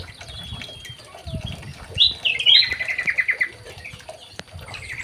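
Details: Young male white-rumped shama in an aviary, giving a short burst of bright, rapid warbled notes around mid-clip, rising and falling quickly, with scattered chirps, soft thumps and low rumbling in the background.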